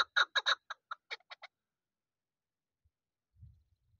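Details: Young hunting chukar partridge from this season, giving a quick run of about eight dry, clucking chuck notes that drop off after a second and a half, followed by near silence with a faint low thump.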